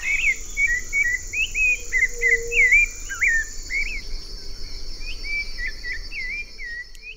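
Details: Rufous-bellied thrush singing in Paraty, Brazil, a song heard in spring: a steady run of short, clear whistled phrases, each slightly different, over a faint high insect hiss and low background rumble.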